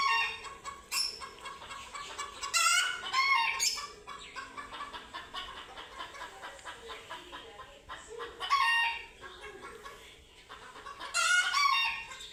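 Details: Chickens panicking at their first sight of cats: continuous rapid clucking throughout, punctuated by several loud, harsh screaming bursts, with wing-flapping commotion between calls.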